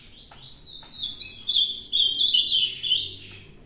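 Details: Ultramarine grosbeak that took part in a singing challenge, pouring out a rich, fast warbled song of sweeping whistled slurs, rising and falling and tightly packed, swelling in the middle and fading at the close.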